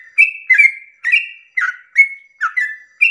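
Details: Close, loud yellow-vented bulbul at dawn in a lure song for other bulbuls: a few clear, ringing whistles, each sliding down into a bubbly second note, spaced roughly every half second.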